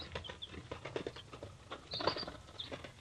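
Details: Young three-day-old chicks of several breeds from a hatchery: scattered high peeps, one strong arched whistle near the middle, heard amid loud scratching and pattering of feet and bodies moving about.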